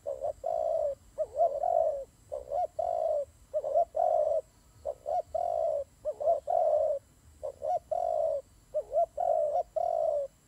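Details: Turtle doves fighting, a long run of deep coos: short jerky notes and sustained coos alternating in a steady, almost continuous pattern, over a faint hum.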